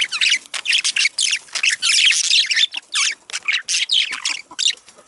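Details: Chattering budgies in a breeding-stimulation recording: quick bursts of grating, squawky chirps packed closely together, rising and falling in short phrases with tiny pauses between.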